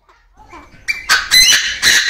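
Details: Aviary-kept male Chinese francolin opens with quiet soft notes, then launches into loud, strident, rasping crow syllables repeated in rapid sequence.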